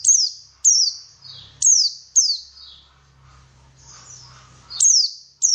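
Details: White-eye sound used as a lure to get white-eyes singing: sharp, high, downslurred notes in bursts, with a quieter stretch of faint twittering in the middle and a low hum underneath.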